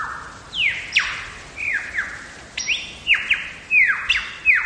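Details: Wild lyrebird singing in Megalong Valley, Blue Mountains, Australia: loud whistled notes sweeping sharply downward, given in an irregular series of about a dozen, some with short level tails, over a quiet background.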